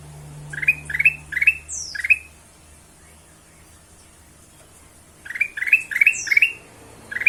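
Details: Ruby-throated bulbul singing a lure meant to make other birds sing: two bursts of rapid rising chirps, four or five notes each, separated by a silent gap of about three seconds, with high downslurred whistles.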